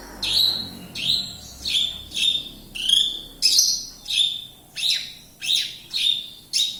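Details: Javan bush lark from Kediri repeating a bright, piercing descending note at a steady pace, roughly every two thirds of a second, over a soft low background.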